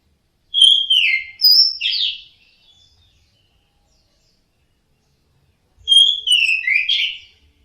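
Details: Orange-headed thrush song played as sound therapy to get caged birds singing: two bursts of clear whistled phrases, each a run of three to four falling and sliding notes, separated by a long silence, with faint low rumble.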